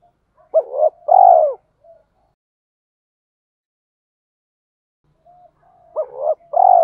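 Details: A decoy spotted dove gives calling coos for training new birds. Two hollow phrases are separated by about four seconds of quiet, each a quick paired note followed by a fuller, downward-sliding coo.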